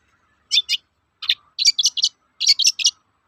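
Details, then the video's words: Long-tailed shrike calling toet-toet, meant to provoke other shrikes into song: a pair of rasping notes, then bursts of three to four quick buzzy notes, otherwise silent. "Suara burung cendet gacor toet-toet memancing emosi cendet bahan agar cepat gacor"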